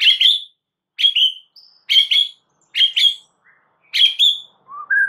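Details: White-rumped shama singing a lure song meant to provoke other shamas into replying. A loud double whistled phrase repeats about once a second, with soft short notes in the gaps, on a clean quiet background.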